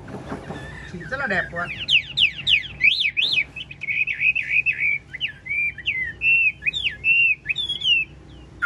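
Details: Large caged Chinese hwamei, 'ngũ trường' type, singing with head-nodding lion-dance movements: a burst of fast trills gives way to loud zigzagging whistles and a long string of short slurred notes rising and falling.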